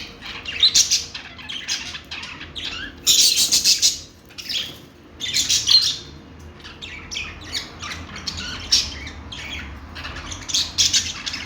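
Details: Budgie, or parakeet, producing bursts of raspy, high-pitched chirps and squawks in groups lasting about a second, with quieter gaps between groups.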